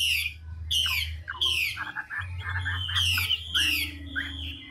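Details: Old, wild-caught Chinese hwamei of the ngũ trường singing style, switching phrases rapidly: loud descending buzzy sweeps repeated about every second, with softer stuttering notes between, over a steady low hum.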